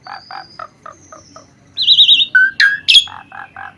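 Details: Asian pied starling singing vigorously for songbird training: soft repeated low chuckling notes, then a loud warbling trill, a strong whistle and a buzzy upward note, followed by more soft chuckles.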